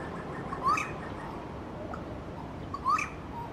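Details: Grey butcherbird at Palmerston, Northern Territory, Australia, giving two brief, rising fluty whistles about two seconds apart over a steady background hiss.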